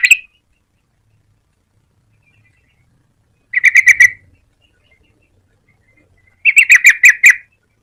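Yellow-vented bulbul giving short bursts of rapid, bubbly chirping notes, with two phrases about three seconds apart, separated by near silence.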